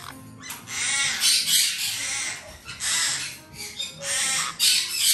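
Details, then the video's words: Two young black-headed caiques, domestically bred, one a male, give harsh, broadband squawks and screeches in quick bursts, several per second, with faint background music. "ズグロシロハラインコ 幼鳥 2羽"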